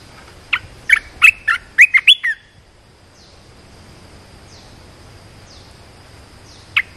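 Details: Caged decoy red-whiskered bulbul singing to draw in a wild bird: a fast burst of loud, warbling, slurred notes lasting about one and a half seconds, then quiet with faint high descending chirps and a single note near the end.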